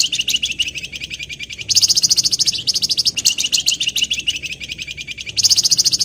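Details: Javan wergan singing persistently, calling out to rivals as a lure: a fast, dense chirping trill of high buzzy notes repeated several times a second, with louder brighter bursts partway through; faint background hum.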